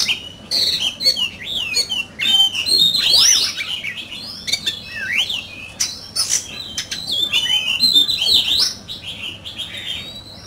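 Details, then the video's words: Oriental magpie-robin singing hard in a singing contest, a handsome bird, running through a long stream of varied whistles, squeaky upslurs and chattering notes with almost no pause. "Chòe Than,Bộ Đẹp,Hót Đấu Căng Lửa."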